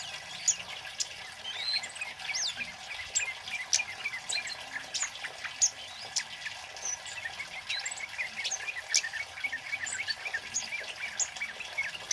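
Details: Scarlet-headed Flowerpecker, a male, in loud, rapid, nonstop song used for luring and tutoring birds: steady stream of high, sharp ticks and brief whistled twitters packed closely across twelve seconds, with a soft background hiss.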